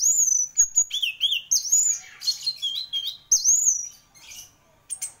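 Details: Orange-headed thrush in competition-grade song, sweet high whistles and downward slurs strung into a fast, varied phrase, then a brief quieter pause before more notes.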